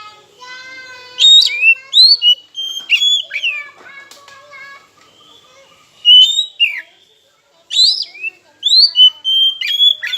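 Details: Oriental magpie-robin (kacer) song used as a lure to provoke silent rivals into singing: loud whistled phrases of slurred rising and falling notes in bursts, after softer steady harmonic tones from another bird at the start.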